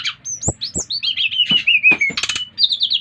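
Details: Brown-chested jungle flycatcher from Bali, five months old, singing to stir other birds of its kind into song: clear high whistled notes, some sliding down, others in quick rising strokes, with a few sharp clicks.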